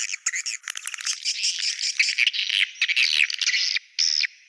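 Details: Swiftlet calls in the Goa China sound: bursts of buzzy, high chattering twitters in uneven clusters, with brief gaps and a final short separate burst.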